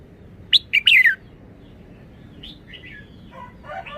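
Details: Red-whiskered bulbul delivering a single crisp phrase of three quick whistles, the final one drawn out and descending, then quieter chirps trailing off against background rumble.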